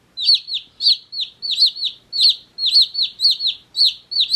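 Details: Baby chicks one day old peeping loudly; sharp downward-sliding chirps come in uneven clusters of two or three, with brief gaps between.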